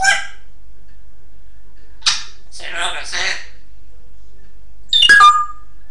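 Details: Pet African grey parrot talking indoors, with some bad language: short, sharp, speech-like bursts spaced by pauses, including a longer mumbled phrase midway and a squeaky whistled sound near the end, in a quiet small room.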